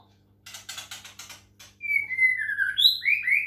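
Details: White-rumped shama from Medan singing with water-sound therapy: a run of rough, rasping stuttered notes gives way to long sliding whistles and quick rising and falling whistled phrases, over a steady low hum.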